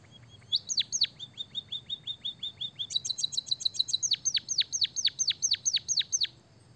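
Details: White-headed munia performing a canary-filled song: two falling chirps, a long string of soft evenly spaced ticks, then a dense high trill and a steady series of sharp downward-sweeping whistles.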